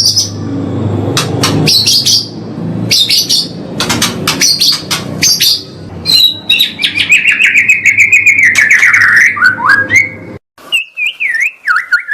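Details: White-rumped shama song used to train caged murai batu: a run of sharp clicks and high chips, then a long warbled whistled phrase with a wavering pitch, ending in short rising and falling whistles.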